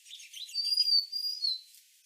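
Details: Golden-crowned Sparrows bathing and fighting at a bird bath: a few soft high chirps, then one long, thin, high whistle drifting slightly lower over about a second.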